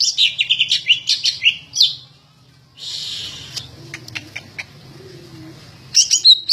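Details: Greater green leafbird, a singing bird described as ready for contest hanging, delivering bursts of sharp, high whistled and chirped notes in quick runs, a pause with background hiss and faint low hum, then more bright notes at the end.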